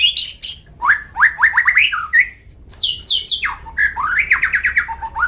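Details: A nine-month-old Oriental magpie-robin sings a rich, varied song: fast runs of rising whistled slurs, high sharp notes and brief buzzy bursts, with a low hum behind.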